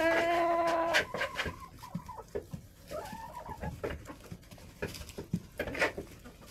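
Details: Backyard hens in a coop during a snowy January spell below freezing, clucking: a drawn-out nasal note opens, then busy irregular clucks and murmurs from several birds.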